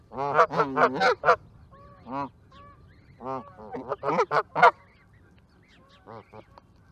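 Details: Canada geese in a noisy burst of overlapping honks, some higher and some lower, first rapid, then a pause, then a second flurry, with softer honks trailing off at the end.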